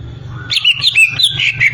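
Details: Greater green leafbird delivering a short, loud phrase of warbled, wavering whistles at fairly high pitch, with a low rumble underneath.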